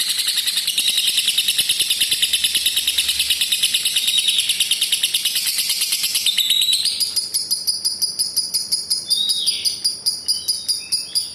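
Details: Long ngekek chatter of a lovebird, kept to coax silent or lazy birds and to tutor youngsters: dense, shrill pulsed notes streaming about seven seconds, shifting into a coarser, slower rattling trill with a faint whistled slur.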